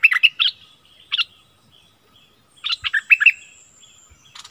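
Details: Decoy streak-eared bulbul, February 2021, giving short clusters of clear chirped notes with pauses between them, a brief later flurry of chirps, and a thin high drawn-out whistle in the background.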